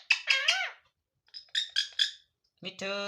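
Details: Pet parrot (mithu) calling indoors: three squeaky, harmonic chirps with bending pitch, a pause, three more sharp chirps, then a longer nasal, buzzy note. The bird makes a creaking sound and imitates talking.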